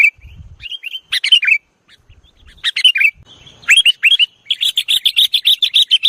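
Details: Kutilang, the sooty-headed bulbul, in a luring recording of 'nggaruda' style: scattered bright, slurred chirps in short bubbly phrases, rising and falling, ending in a fast run of evenly repeated sharp notes, with a few soft low thumps.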